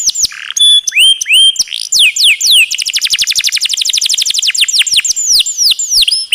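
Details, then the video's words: Canary master song used to train other birds, with upswept whistles and buzzy notes leading into a long, rapid rolling trill of sharply descending strokes, then more looping whistles. "Masteran Isian Kenari Super Istimewa..!!! Ngeroll Panjang"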